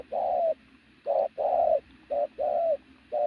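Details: Loud coo from a pigeon of athletic build: strong, drawn-out cooing notes alternating with shorter ones, close and clear, repeated about once a second.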